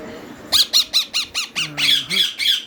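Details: Young rose-ringed (green ringneck) parakeet chicks at feeding time, being hand-fed, give rapid, harsh, grating squawks, about six a second, running into continuous raspy chatter; one chick seems sleepy; a human voice murmurs briefly.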